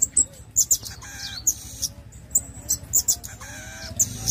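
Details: Pin-tailed parrotfinch singing in rapid bursts of very high, sharp ticking notes interspersed with short buzzy and nasal phrases, roughly every half second, over a low background hum.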